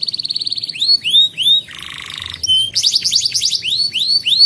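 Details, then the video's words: Canary song used as a training lure for young canaries: rapid trilled phrases, a buzzy rattle, then repeated down-slurred whistled notes, all high-pitched. "Kenari GACOR Masteran Burung Kenari PAUD Belajar Bunyi dan Pancingan Kenari Macet"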